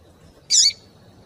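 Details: A female double-collared seedeater (coleiro) calls, a call used to rouse males into singing: one short, harsh, high chirp, a quarter-second burst over near silence.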